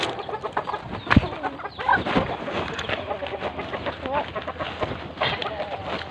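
Ducks chatter in a busy, overlapping run of harsh quacks and clucking notes over six seconds, with a flock's steady murmur beneath.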